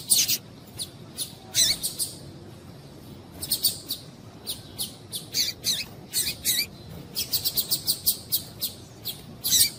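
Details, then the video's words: High, sharp chirps from a female Double-collared Seedeater, meant to stir males into song, come in irregular clusters, some single and some in quick runs of three to six, with a faint steady tone underneath. "Piado de Fêmea de Papa capim para Esquentar Papa capim"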